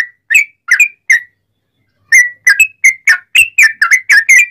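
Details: Sooty-headed bulbul singing loudly, used for training and to provoke other bulbuls into singing. Three whistled notes, a one-second pause, then a quick burst of rising and falling whistles.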